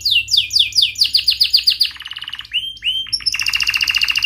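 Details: Canary in lively rolling song, used to teach young canaries: rapid repeated descending chirps about four per second, then rising whistled slurs and a fast buzzy trill, with a faint low background hum.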